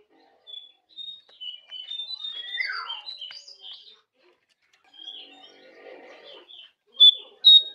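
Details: Jongkangan singing, used as master recording to prompt caged birds into song; high whistled notes and short trills, with one downward-sweeping burst and quieter scratchy phrases, ending in two loud sharp whistles.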